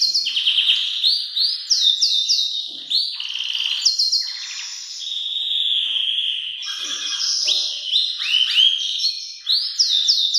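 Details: Powerful Belgian canary song meant for young birds to copy: dense high warbling with swooping whistles, rattling rolls and long steady tones, plus quick rising note series near the end.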